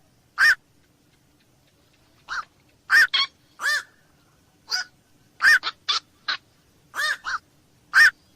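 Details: Black-crowned night heron uttering abrupt, hoarse 'kwok' barks, spaced irregularly with a few quick doubled notes, against a quiet background.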